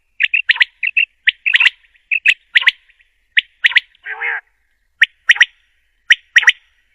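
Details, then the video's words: Female common quail calling, a recording used for quail hunting. Short sharp chirping notes, mostly in quick pairs and triplets, come in bursts about every half second, with one harsh buzzy note near the middle. "Quail sound || Batiar Ki Awaz || Female Quail Sound || بٹیر کی اواز || مادی بٹیر کی اواز"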